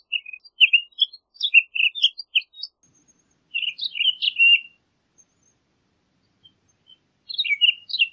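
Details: A Townsend's solitaire sings a run of choppy warbled notes, then a denser tumbling phrase. After a quiet stretch, a final short burst of slurred warbles comes at the end.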